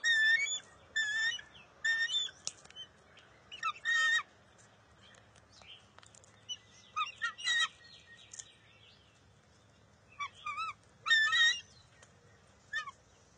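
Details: Nest scene from June 23, 2021, where a bald eaglet and its mother tussle over a fish: scattered shrill, wavering squeals in small groups separated by quiet gaps of several seconds, one brief rasping sound midway.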